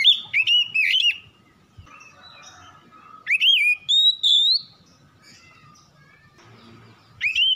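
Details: Oriental magpie-robin lure recording: short bursts of sweet whistled notes with quick rising and falling slurs, including a long rising whistle, separated by quiet pauses.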